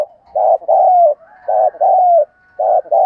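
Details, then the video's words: Cooing of a spotted dove, used to rouse and attract other doves: steady paired phrases of a short mellow hoot and a longer, gently falling coo. The phrases repeat three times with a faint higher tone in the background. "tiếng kêu của chim cu gáy âm thanh rất chuẩn để kích bổi/ thúc gù bài bản"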